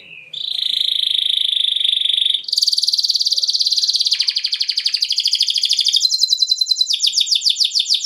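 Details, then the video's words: Atlantic canary rolling song meant to provoke other canaries to answer: a long steady buzzy trill, then a brighter rattling trill that shifts upward and speeds into tight pulsed rolls. "PANCINGAN KENARI NGEROL"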